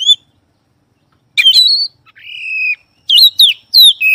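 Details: An oriental magpie-robin sings rich, varied whistled phrases, some sliding and rising, others a long steady whistle, broken by harsh scratchy notes in quick bursts.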